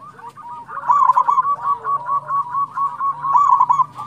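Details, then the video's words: Local zebra doves singing briskly, a recording meant to prompt other doves to sing: dense, overlapping rolling coos with throbbing rhythm throughout, loudest near the start and again toward the end. "PANCINGAN PERKUTUT LOKAL GACOR"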